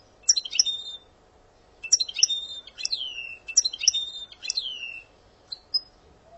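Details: Singing European goldfinch in Algeria delivers repeated short twittered phrases. Each phrase ends in a long, descending whistled glide, with several phrases coming about a second apart and some isolated high chips near the end.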